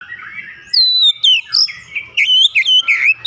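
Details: Oriental magpie-robin song used to stimulate singing: varied clear whistles, slurred and sliding notes in quick succession, some fluting, with faint low background noise.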